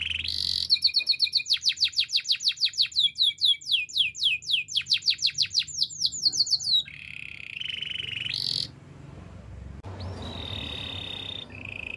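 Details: Waterslager canary singing a long varied tour: a fast series of repeated sweeping chirps about two per second, followed by level rolling trills and a bright high whistle, with soft background hum.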